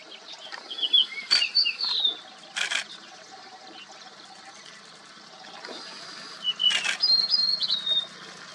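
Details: Black-browed reed warbler (Acrocephalus bistrigiceps) at Imphal, Manipur, India, in October 2022, gives scratchy, chattering notes mixed with thin high whistles in two bursts, against a steady background hiss and a few sharp clicks.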